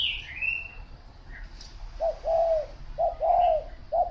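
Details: Spotted dove cooing clearly after a brief high whistle from another bird: three low, mellow phrases, each a short coo rising into a longer arched coo, about one phrase per second.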